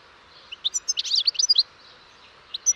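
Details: European goldfinch song: a quick jumble of bright, liquid chirps and twitters, with a few isolated high notes before and after.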